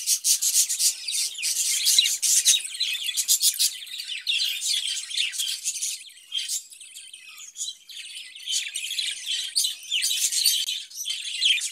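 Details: Caged budgerigars kept for breeding, chattering steadily with dense high twittering, buzzy notes and short chirps in quick irregular bursts, fading briefly around the middle before resuming.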